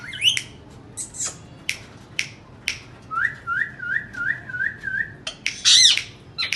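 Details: Indian ringneck parakeets vocalizing: sharp clicks and screeches, then a row of about six even rising whistled notes, ending in a harsh squawk burst.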